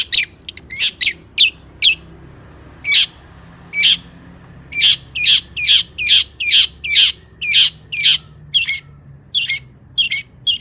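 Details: Long-tailed shrike in full song with mimicked material, meant to excite other shrikes to sing: short harsh buzzy notes given in irregular bursts, roughly two per second, over a faint low background hum.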